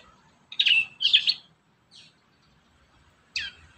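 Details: Prinia song for training young prinias: two sharp, buzzy chirp bursts in quick succession, a faint note, then a silence before one more chirp at the end.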